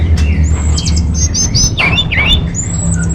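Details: Orange-headed thrush song used as a lure and master song for caged birds: high slurred whistles and quick chattering notes, some sliding upward, over a steady low hum.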